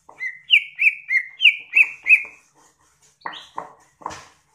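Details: Greater green leafbird song offered as a tutor recording for training kept songbirds: six loud, downslurred whistled notes in a quick even series, then a pause and a few harsher, buzzier chattering notes.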